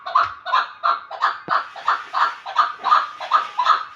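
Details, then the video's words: Chukar partridge giving a rapid series of harsh, clucking chuk notes, about three per second in a steady rhythm, each a short burst with a faint low thump beneath. "Кабки Помир"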